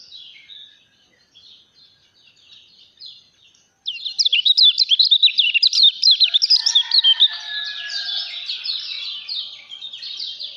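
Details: Caged lemon-bellied white-eye, called a champion prospect: soft, distant high twitters at first, then an abrupt loud burst of fast, sharp, pulsing chirps and trills.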